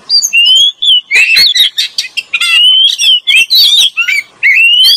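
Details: Oriental magpie-robin pair, male and female, used as a lure; sweet whistled notes mixed with harsh, broadband chattering bursts, delivered in quick irregular phrases.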